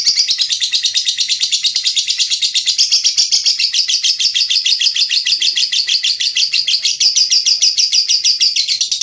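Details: Lovebird song used as training audio for other cage birds, loud and dense: a continuous rapid chatter of high chirps, about two per second, running without pause.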